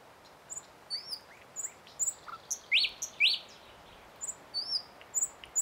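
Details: A Thrush Nightingale (Luscinia luscinia) sings in the morning: thin, very high whistles and chirps about two a second, broken by two loud, ringing downslurred notes, over a soft background hiss.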